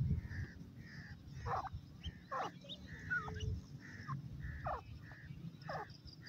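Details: Young grey francolins at play in forest, giving short high whistled peeps at a fairly even pace, alternating with sharper squeaky notes that drop in pitch, all over a steady low rumble.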